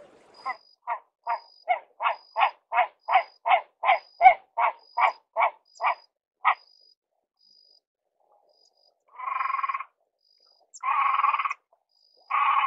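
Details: Great crested grebe (Podiceps cristatus) first gives a fast series of about fifteen short, clipped barking notes. After a pause come three longer, harsh, grating calls.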